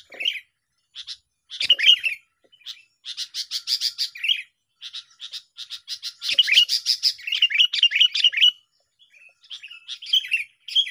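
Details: Sooty-headed bulbul song from a tense singing contest, used to lure birds for trapping: long rapid runs of bright chirps broken by warbled, slurred phrases and short pauses.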